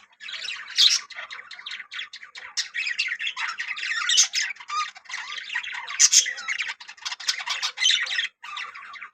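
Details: A colony of yellow budgerigars chatters nonstop, a busy mix of scratchy squawks, warbles and high chirps overlapping with no pause.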